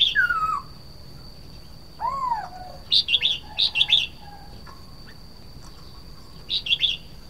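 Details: Red-whiskered bulbul, known in Thai as nok krong hua jook, opens with sliding, down-slurred whistles, then bursts into quick chirpy warbled phrases, with a constant thin high tone in the background.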